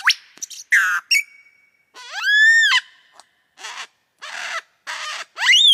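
A lyrebird sings a loud, varied medley: sharp chirps, rising and falling ringing whistles, and harsh buzzy bursts, each a second or less, in quick succession.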